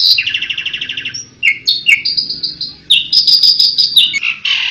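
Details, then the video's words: Asian pied starling singing 'tembakan': a rapid buzzy rattle opens, followed by sliding whistles, a long level whistled note, a burst of bright chatter and a harsh rasping close. "TEMBAKAN JALAK SUREN INI BIKIN BURUNG APAPUN TERPIKAT"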